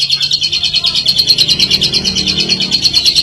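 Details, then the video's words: Lovebird ngekek chatter used to lure other lovebirds into long chattering: quick buzzy repeated pulses, about three per second, over a low background hum. "Suara Burung Lovebird Ngekek Jernih Pancingan Buat Lovebird Ngekek Panjang"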